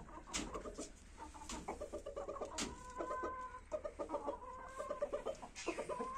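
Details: Pair of pure desi Kashmiri chickens in red jungle fowl colour, giving steady low clucks in quick irregular runs, with a few louder harmonic calls held briefly and sharp clicks scattered throughout.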